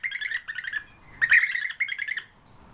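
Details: European bee-eater: three bursts of rolling, purring trilled calls, each a run of quick repeated notes, with brief pauses between them.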